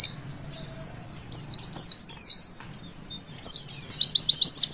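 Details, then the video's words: High-pitched Javan white-eye song used to get young birds singing: sweeping whistled notes, then a fast rhythmic run of sharp repeated chirps at the end, with a low background hum. "Pleci Bakalan Ikutan WITWIT ga pake lama Bikin Gacor!!!"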